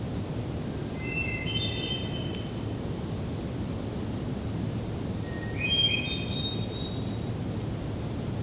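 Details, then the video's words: Wild hermit thrush singing near sunset by a trail to Hector Falls in the Tionesta Scenic Area, Allegheny: two pure, flute-like phrases, each a clear opening note followed by higher echoing tones, set against a steady broad hiss of background noise. "a long form recording of this hermit thrush."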